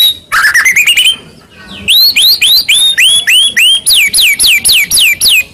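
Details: Fighting lure from a Medan white-rumped shama: a fast rising trill, then a steady series of clear upslurred whistles repeated about three times a second, ending with sharper falling notes.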